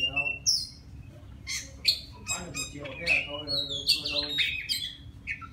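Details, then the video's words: Singing to attract a female, a forest Oriental magpie-robin gives high whistles, abrupt harsh rasps and downward-slurred notes, loud and irregular across the phrase. "Tiếng choè than rừng hót gọi mái"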